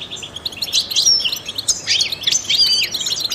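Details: Trained goldfinch singing to stimulate songbirds: quick, bouncy phrases of sharp twittering chirps and short slurred notes, bursts arriving roughly every one to two seconds.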